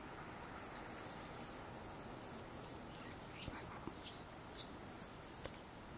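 An Anna's hummingbird sings a thin, scratchy, very high song: rapid buzzy bursts of squeaky notes repeated steadily over a soft background hiss.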